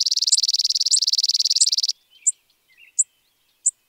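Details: American sparrow (Spizella) delivering a steady, buzzy high trill lasting nearly two seconds, followed by three separate sharp chips spaced about seven tenths of a second apart.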